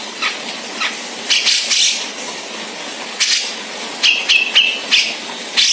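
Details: Grey-cheeked bulbul, Sumatran form, in ngebeset style for tutoring cage birds: broad harsh rasps spaced apart, then a quick cluster of short bright whistles mixed with scratchy notes.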